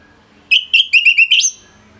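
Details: Orange-headed thrush song for tutoring other birds: a quick series of six clear whistled notes, most dipping then lifting, the last rising into a thin high tail, delivered in about one second.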